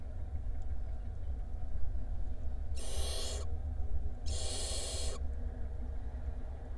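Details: Barn owl chicks, five young resting by day in a nest box in Israel, give two long broadband rasping hisses, each about half a second to a second, over steady low hum.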